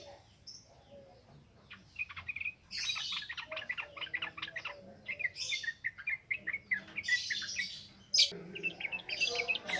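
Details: Yellow-vented bulbul singing continuously in a wild style, used as a lure recording for training birds: bursts of quick bubbly chirps and sharper notes in rapid runs, with a faint low hum beneath.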